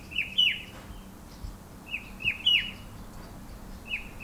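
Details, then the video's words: Himalayan shrike-babbler calling from a bare pear tree in hill orchard gardens of the western Himalayas; its cheery two-note call echoes, with paired whistled notes, the second higher, repeated in bursts over soft background noise. "Rufous-winged Himalayan Shrike Babbler has lovely cheery call announced with much attitude"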